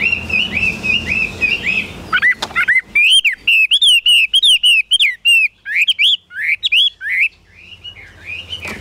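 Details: Caged Chinese hwamei from Vietnam singing loud, clear whistled phrases. Rising and falling notes are repeated in quick runs. A soft low hum fills the first two seconds.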